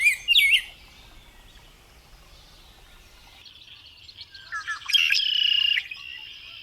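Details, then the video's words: A sharp double chirp opens, then near-quiet before a bird breaks into a buzzy, high, rattling trill that holds for about a second and trails off. "CANTOS DE PÁSSAROS 04"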